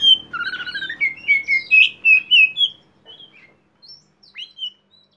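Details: Actively singing oriental magpie-robin (kacer poci) in 'konslet' style, recorded to stimulate untrained birds: about three seconds of loud, rhythmic warbled whistles with quick slurred notes, then sparse soft chirps fading into near silence.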